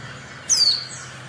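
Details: One high, thin call of a female Oriental white-eye, used to provoke silent males into song, sliding downward in a brief whistle over a low background hum.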